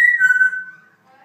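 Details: Pet Congo African grey parrot gives a clear whistle that starts high, drops a step, holds, and then fades away, indoors.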